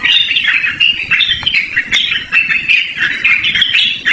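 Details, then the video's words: Loud, nonstop song of a Yellow-vented bulbul, recorded for luring or tutoring birds: busy, bubbling chatter of short warbled notes packed tightly together, with occasional sharp clicks. "BURUNG TRUCUKAN GACORR NGEROL DURASI PANJANG"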